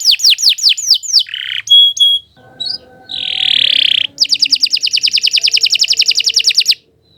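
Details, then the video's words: Canary song for tutoring young birds: fast downward-sweeping notes repeated rapidly, a short clear whistle, a buzzy sustained note, then a long even rolling trill of quick repeated notes. "Kicau Burung Kenari II GACOR PANJANG Cocok untuk Masteran"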